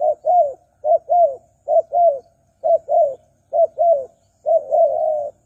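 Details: Spotted dove cooing as a lure for wild doves: six quick pairs of low coos, each second note falling slightly, the final one stretched into a long rolling coo.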